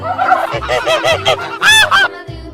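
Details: Goose honking in a rapid series of about eight nasal, harmonic honks over two and a half seconds, the last two louder and longer, over a steady musical backing.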